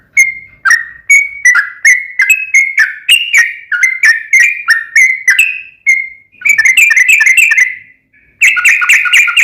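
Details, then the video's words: Sooty-headed bulbul delivering a long, nonstop run of song meant to prompt another bulbul to answer: rapid, bubbly whistled notes stepping up and down, over twenty, ending in a denser, tumbling burst after a brief gap. "KICAU SUARA trucukan gacor ROPEL PANJANG pancingan trucukan agar bunyi"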